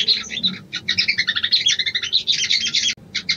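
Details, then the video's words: Female sooty-headed bulbul calling the male, a mating lure: a dense, unbroken run of quick, sharp chirping notes for about three seconds, then a brief pause and a few more notes. "SOGON BETINA MEMANGGIL JANTAN‼️ PANCINGAN BIRAHI"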